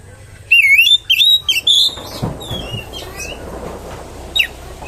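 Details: Oriental magpie-robin song played as a lure to provoke other magpie-robins: loud, clear whistled phrases with sliding, looping notes in the first two seconds, then fainter scattered chirps over a low background hum.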